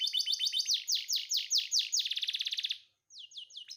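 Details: Canary in breeding condition singing energetically: a run of descending sweeping notes speeding into a rapid buzzy trill, a brief pause, then a few more high downslurred notes.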